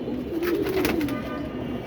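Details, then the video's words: Several pigeons all calling with low, soft, rolling coos over a steady background hiss, after heavy rain and strong wind that killed about four of the flock. "কবুতর ডাক শুনতে পাচ্ছেন তো, সবাই ডাকতেছে, তাই না?"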